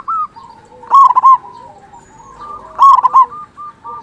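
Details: Local zebra dove, big-voiced singer used as a lure for quiet zebra doves. Two loud clusters of sharp ringing coo notes, joined by softer level whistled coos and quiet rolling background calls.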